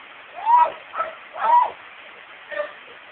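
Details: Pet female myna mimicking household speech, a bird that copies words and conversations heard at home; four short voice-like syllables with arched, tonal contours, spaced roughly half a second to a second apart, with faint background hiss.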